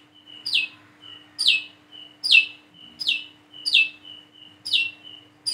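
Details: One plain-throated sunbird practising its call while learning to sing, giving loud, piercing down-slurred chirps about every 0.9 seconds, each followed by a soft high note, with a faint hum throughout.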